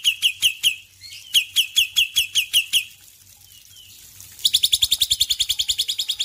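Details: Morning song of a male black-winged myna: bright, clipped whistles repeated rapidly in two runs, a brief lull, then a quicker, denser string of sharp chattering notes that slowly fades.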